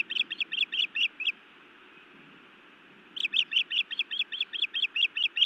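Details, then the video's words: Female osprey scolding her mate at the nest, Montana, 31 May 2017, evening, captured by a live nest camera; two bursts of rapid, high, whistled chirps, each about a second long, separated by a two-second pause, with steady background hiss. "Feisty Iris scolds then bites Louis a time or two"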